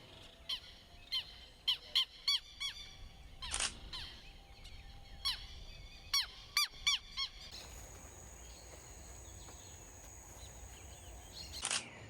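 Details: Southern lapwing calling noisily in the background near the Chagres River at Gamboa, Panama: loud, harsh, strident calls in short bursts of two or three, then a brief pause; a steady high hiss runs under the later part.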